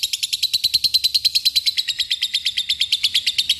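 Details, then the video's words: Lovebird giving ngekek, a long trill meant to call an opponent and provoke others into singing: a fast, even string of sharp, high, buzzy notes, roughly eight per second, running unbroken for the full stretch. "lovebird akan terpancing emosi dan ikutan bunyi ngekek gacor"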